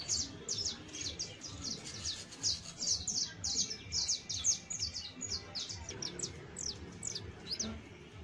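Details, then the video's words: First attempts at song from a nestling-age saffron finch: rapid high, slurred chirps in quick clusters, loosening into scattered notes toward the end, over soft low noise. "PICHON DE CANARIO CRIOLLO SOLTANDO SUS PRIMEROS CANTOS, TRINES, CHARRASQUEANDO"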